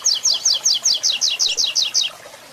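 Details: Double-collared seedeater singing a 'Tui Tui Zel Zel Zel' third-note style tutor song used for breeding and training birds: a rapid series of about eleven high, bright double notes, each slurring downward, in quick steady rhythm.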